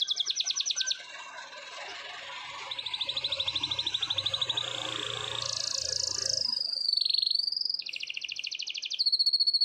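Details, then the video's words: Canary singing a long rolling song in the morning: fast buzzy trills near the top of the range, switching between tours of different pitch, with a rising sweep and clipped notes toward the end. "BURUNG KENARI NGEROL PANJANG // DI PAGI HARI"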